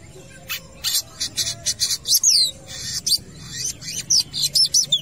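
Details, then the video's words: Long-tailed shrike singing vigorously at a football field, mixing grating chatter with clear, high whistled slurs that drop in pitch, delivered in rapid, uneven phrases. "BURUNG CENDET GACOR"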